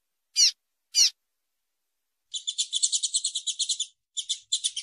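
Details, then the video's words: Female double-collared seedeater, used to stimulate male song before competitions, gives two quick sharp downslurred chips, then a long run of fast, buzzy, high chattering notes broken by short pauses. "PIADOS MACHEADOS FÊMEA DE COLEIRO ESQUENTA RÁPIDO ÁUDIO Excelente Para APRONTAR COLEIRO PAPA CAPIM"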